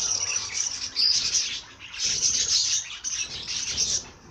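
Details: Bird singing three bright, high twittering phrases of about a second each, separated by short dips in volume.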